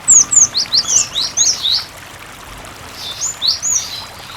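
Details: Lure recording of a cinereous tit singing persistently, used to coax other tits into song: a rapid string of high, falling whistled notes, a pause, then another short burst, all over a constant background of running water.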